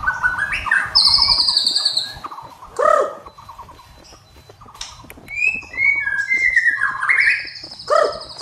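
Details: White-rumped shama singing energetically with full mimicry fills, meant for training other birds in the morning; rapid rattling trills, high buzzy whistled phrases, rich mid-pitched warbles and sliding notes in quick varied succession.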